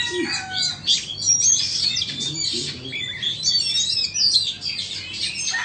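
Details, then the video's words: A Vietnamese and an Indonesian Oriental magpie-robin competing in song. Rapid, high, varied whistled notes and twittering runs overlap almost without pause, with short clear tonal whistles set among the busier chatter. "Chòe than VN đấu với Chòe Than Indo"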